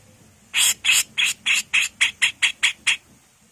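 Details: .Female Grey-cheeked bulbul from Java, singing actively in the rough 'mbesetan' style: about ten harsh, rasping broadband notes in quick succession, roughly four per second, over faint background hiss.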